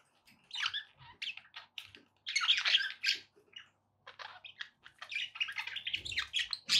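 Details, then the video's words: Pet budgerigars kept indoors, offered to encourage a parrot to eat and sing: bursts of chattering, scratchy warbling notes with short squawks, loud phrases separated by brief pauses, faint low hum underneath. "budgie sounds to encourage your parrot to eat and sing"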